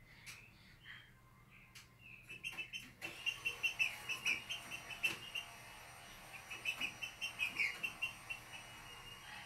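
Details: A captive Green-winged saltator sings a short song: a fast run of clear, high whistled notes, about three per second, for several seconds; faint clicks sound in the background.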